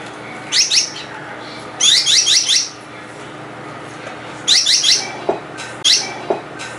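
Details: Gouldian finch giving bursts of high, thin, rapidly descending chirps in quick runs of three to five notes, with four separate bursts spaced one to two seconds apart over a faint steady hum in a quiet setting.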